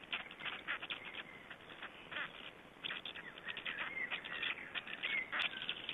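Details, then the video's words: Black storks at an Estonian nest during a feeding on 20 May 2012: rapid, irregular raspy bursts and squeaky notes, roughly three to four a second, with brief thin whistled squeals in between. "Estonian Black Storks - Feedings"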